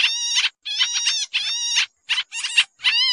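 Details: Pied triller lure call for trapping, noisy in style: three long harsh chattering bursts followed by shorter rasping notes, stacked and buzzy, against silence.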